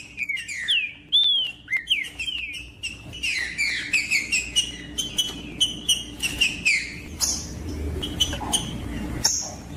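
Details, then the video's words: Green-winged saltator (trinca-ferro) singing, used to warm up a cold trinca-ferro into song: loud, clear, slurred whistled phrases, often falling then rising, repeated in quick succession with sharp clicking notes between them. "TRINCA FERRO CANTANDO PARA ESQUENTAR TRINCA FERRO"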